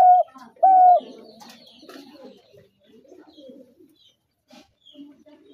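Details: Spotted dove giving two brief, clear, level coos at the start, then a long stretch of faint, low mixed sounds and soft distant notes.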